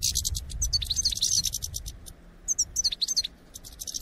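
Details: European goldfinch flock song recorded for trapping use: high, liquid twitters and tinkling chirps in quick clusters, with rapid clicking notes between phrases and faint low background rumble.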